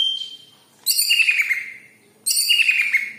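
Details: Leafbird (cucak ijo kepala kuning) song used as a lure to get other birds singing: two bright, loud phrases, each a sharp high burst sliding into a sustained warbled whistle, separated by a quiet gap.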